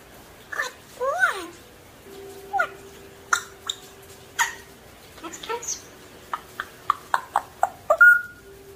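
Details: A talking African grey parrot chatters in short bursts of speech-like syllables, whistles and clicks, ending in a quick run of sharp notes and a clear whistle.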